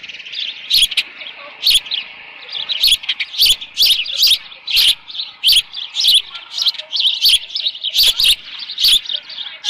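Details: Osprey calling from its ranch nest in mid-June 2018, around 11:37 in the morning with leftover fish: steady series of high squeaky chirps roughly every half second, punctuated by sharp tapping clicks.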